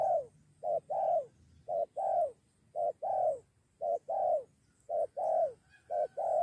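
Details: Spotted doves lured in and ready to fight a decoy, two against one. Continuous two-part coos, a clipped note then a longer falling one, repeat at an even pace, roughly seven pairs in six and a half seconds.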